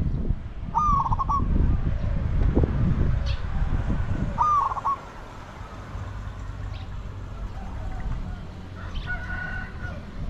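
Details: Spotted dove calling while used to lure wild doves: two short, pulsing coos about four seconds apart over steady low rumble. A faint higher call from another bird is heard near the end.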